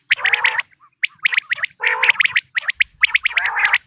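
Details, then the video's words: Quail calls, natural sound meant for quail hunting: rough, grating bursts alternating with quick runs of sharp, clipped notes, in irregular overlapping groups with short silences between. "بٹیر کی آواز"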